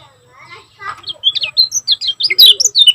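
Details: Lombok kecial kuning (lemon-bellied white-eye) in energetic gacor form. Faint voices and low murmurs come first, then from about a second in, fast high chirping notes tumble in a dense, rapid string.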